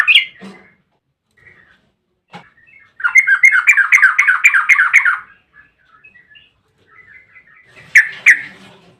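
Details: Yellow-vented bulbul long trill (ropel panjang) used as a lure: isolated short notes, then two seconds of rapid, bubbling rolled song, then soft scattered notes and a final loud burst.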